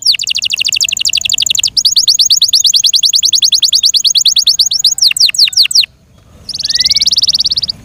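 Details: Rolling song of a cared-for Yorkshire canary: long, very fast trills of high repeated notes, a few falling sweeps, a brief pause, then a dense buzzy high trill.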